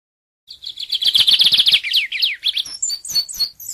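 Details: Lined seedeater singing a rapid high buzzy trill that breaks into downslurred notes, then spaced, varied whistled chirps. The recording is clean with no background noise.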